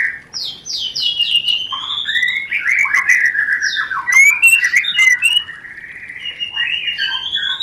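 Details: Rencetan of a white-rumped shama meant to excite breeding: it opens with a rapid descending trill of high notes, then varied slurred whistles and chatter, and fades into softer rising phrases.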